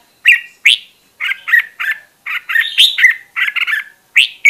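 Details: Caged red-whiskered bulbul kept as a voice-training decoy, delivering a string of clear, warbling whistled notes, some rising sharply, in quick groups with brief gaps.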